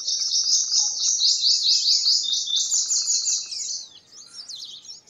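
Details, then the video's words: Sustained high, shimmering trill from a purple sunbird, the notes repeated very fast for nearly four seconds before giving way to a few squeaky, tumbling twitters. "Purple Sunbird Songs - Purple Sunbird Sound - Purple Sunbird Call - Purple Sunbird Singing"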